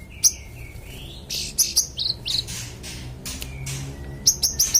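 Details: Magpie-robin song used to tutor competition birds: varied high chips mixed with short rising and falling whistles, ending in a quick series of piercing chirps.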